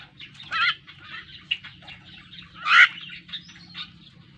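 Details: Learning to sing, a pet Javan myna produces noisy, harsh chattering with two louder rasping bursts, over a constant low drone.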